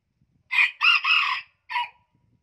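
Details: Hybrid junglefowl rooster from Vietnam's Central Highlands region, said to have the highest-pitched crow there, gives one crow: two loud, harsh, high-pitched opening bursts, then a sustained strained middle note, and a short final note after a brief pause.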